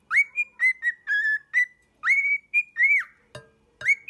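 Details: Pet cockatiel whistled song for training a cockatiel to sing: clear tonal whistles, some flat, some rising then falling, in short phrases with brief gaps and a sharp click near the end.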